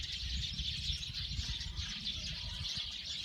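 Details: Chattering group of Eurasian tree sparrows, rapid overlapping chirps filling the clip, with low rumbling background sound.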